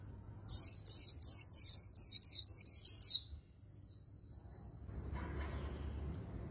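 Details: Fast líu training song from an Oriental white-eye, about eleven rapid high whistled phrases, followed by faint soft notes and a rise in low background noise.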